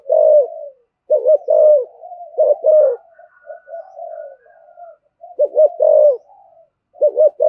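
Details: Spotted dove giving 'kích bổi giọng thổ' style cooing: short arched low coos in pairs and triplets, some drawn-out falling notes, with gaps of quieter murmuring and a faint higher thin whistle in the middle.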